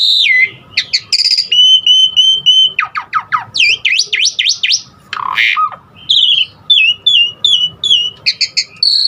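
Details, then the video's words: Varied filler song of an Asian pied starling, played to set other starlings singing: piping repeated whistles, a series of steep up-and-down swoops, a falling slur, then quick twittering phrases ending on a strong whistle. "Jalak Suren Aneka Suara Isian Uniknya Bikin Burung Jalak Manapun lkut GACOR Full Isian VARIASI"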